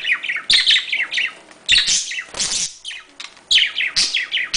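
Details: Budgerigars making mating sounds: quick high chirps and descending whistled notes in clustered bursts, with sharp clicks and a brief lull midway.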